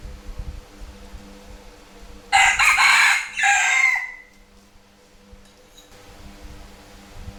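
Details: A rooster crowing at noon in Vietnam: one loud, harsh crow lasting about two seconds in two bursts, the second trailing off in a falling tail, over low rumbling background noise and a steady faint hum.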